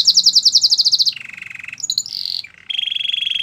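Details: Canary song used for training canaries: a fast pulsed trill of bright notes, then a lower buzzy roll, short high chips and a steady rattling trill, all high-pitched and loud.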